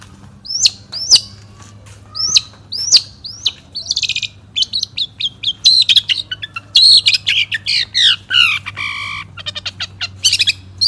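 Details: National champion Long-tailed shrike, 'satu titik' style, 2016: a series of sharp downslurred whistles, then a rich mix of buzzy trills, rattles and harmonic chatter.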